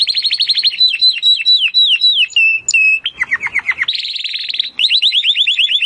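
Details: Training song of a Timbrado canary, intended to improve canaries' singing: rapid looping chirps, a chain of falling slurs, a level whistle, a short dropping trill, then bright repeated rolling phrases.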